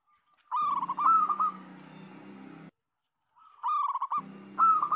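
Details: Local zebra doves in a chorus, used as a lure to get other doves singing. Bright, warbling cooing phrases with quick rolling notes come in two bursts separated by a short silence. A steady low hum runs underneath.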